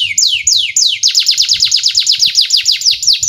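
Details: Training lure song of a canary for young birds: two slow downward-sweeping whistles, then a rapid series of repeated high falling notes, about eight per second, loud and clear over a faint low rumble.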